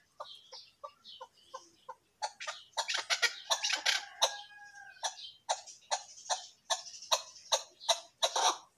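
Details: Chukar partridge giving a long series of sharp clucking notes, spaced and soft at first, then louder and faster at about three per second, with a brief rolling phrase in the middle.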